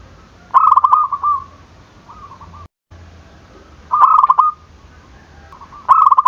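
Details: Zebra dove cooing loudly to provoke rivals into calling: a bright, rapid staccato burst of cooing notes followed by softer trailing coos, repeated three times with a brief silent gap between phrases.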